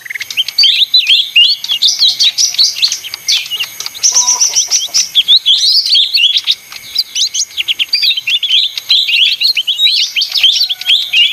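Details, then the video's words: Lesser green leafbird in busy, noisy song: a dense, nonstop stream of high whistles, slurred chirps and rapid trills, with short pauses, over a faint steady tone. "suara ijo mini (daun)ribut"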